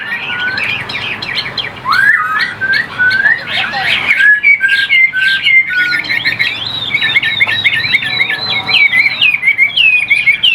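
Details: Chinese hwamei in a cage delivering an energetic whistled song, with tumbling varied phrases leading into a long run of rapid, evenly rolling looped notes.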